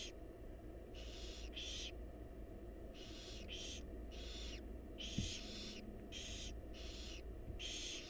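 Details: Barn owl chicks, wild and in a nest box, beg for food from their mother with dense overlapping hissing screeches, nearly continuous, plus a single faint click and steady low hum.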